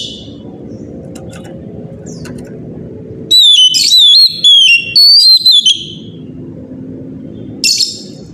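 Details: Oriental magpie-robin morning song, a lure to get other magpie-robins singing: after a quiet stretch with faint notes comes a loud series of falling whistled notes, about two per second, then a lone high burst.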